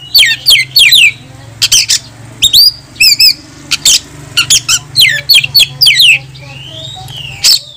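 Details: Oriental magpie-robin singing to call an opponent to fight, a lure to make other birds open their tails; quick runs of looping whistles, double-noted warbles and chattering bursts over a low continuous hum.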